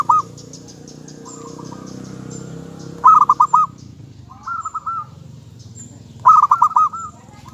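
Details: Local zebra dove singing: loud stuttered coo phrases at roughly three-second intervals, with softer trilled notes in between over a low background hum.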